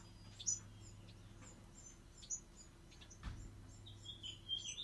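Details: Bewick's wren fledglings uttering sparse, thin, high chirps with a short rasping note near the end, accompanied by a steady low hum and one soft thump.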